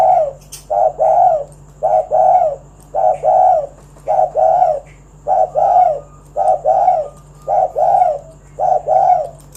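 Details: Spotted dove cooing in soft, low paired notes, about one pair a second, over a steady faint electrical hum; call used to lure other doves into calling.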